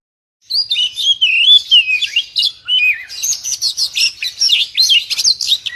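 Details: Oriental magpie-robin lure song: after a brief silence, looping whistles give way to a rapid, rhythmic series of sharp high chirps several per second.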